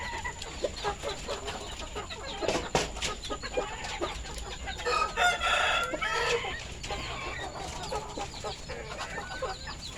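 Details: Farmed village rooster (ayam kampung or Bangkok chicken) with red and orange feathers, recorded at afternoon feeding time on 21 February 2022; a harmonic crow rises midway, among dense chirps and clucks from other poultry.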